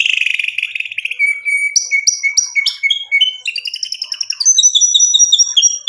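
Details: White-rumped shama in full song, used to provoke a rival into answering, showing its varied song material: a buzzy rolling opening, then a run of short clear whistled notes and bright ringing phrases that climb higher toward the end.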